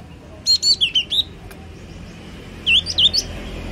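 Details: Yellow-cheeked tit delivering a brisk phrase of five swooping whistles, then after a pause a second burst of three, each note curving down then up; a single sharp click falls between the phrases.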